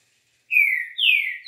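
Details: Green-winged saltator delivering 'liso' song: two loud, clear whistled notes, each starting high and sliding smoothly downward, the second slightly higher and longer, in silence.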